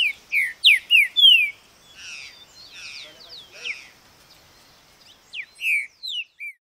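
A green-winged saltator gives loud, clear whistled notes that slur downward, four in quick succession, then softer mixed phrases, then more strong whistles at the end.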